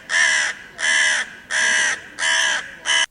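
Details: Five loud, hoarse crow caws in a row, each about half a second long with short even gaps, the last one clipped short.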